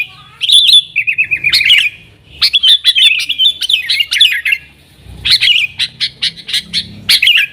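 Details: Yellow-vented bulbul in lively nggaruda-style singing, used to call wild sooty-headed bulbuls: three bursts of quick chattering chirps and warbled notes separated by short silences.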